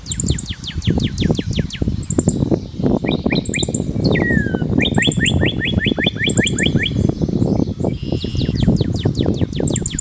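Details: Cardeal vermelho song: brisk repeated downslurred whistles, a long falling slur, then a rapid even train of clipped whistled notes. Low background rumble and high-pitched chirping trills from other birds accompany it.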